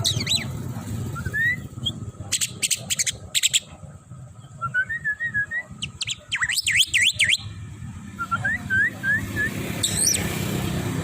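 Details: Tame Javan myna singing while taken for a walk along a road: scattered sharp whistles, rapid rising-falling warbled phrases and clicky bursts, with traffic and motor rumble underneath.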